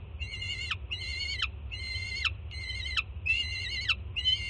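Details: Juvenile peregrine falcon, offspring of a first-time mother, screaming at the Jersey City nest as breakfast is delivered; six evenly spaced harsh screams with strong overtones, each ending in a steep downward slur.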